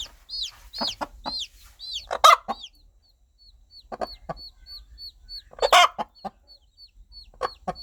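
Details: A mother hen calls her baby chicks, her rhythmic clucking keeping them close and protected. Scattered low clucks, a few louder harsh bursts, and a steady train of thin, high chick peeps.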